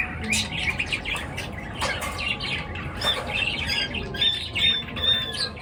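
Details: Morning bird chirping with rapid, irregular high chirps and squawks from several birds, some thin whistled notes near the end, and a low rumble in the background.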